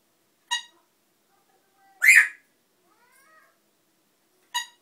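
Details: Noisy African grey parrot giving short bright harmonic chirps at start and end, with a loud harsh rasping squawk between them and faint soft whistles, with nothing else heard.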